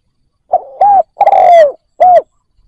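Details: Decoy spotted dove cooing to attract wild doves, a single clear phrase: brief low note, rising-falling coo, long gliding downward note, then one last arched coo, in silence.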